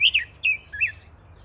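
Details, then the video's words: Red-billed leiothrix, called Chinese nightingale or Pekin robin, giving three short slurred whistled notes, each dropping in pitch, with brief pauses between them and a quiet background. "Chinese Nightingale | Pekin Robin Song"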